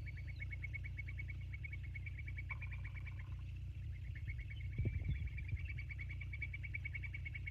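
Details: Bald eagles at the Sauces nest on a live nature cam, 29 January 2024 at 22:51: a rapid, even series of high, thin piping notes, then a short lower tone, with brief knocking sounds and a steady low hum throughout.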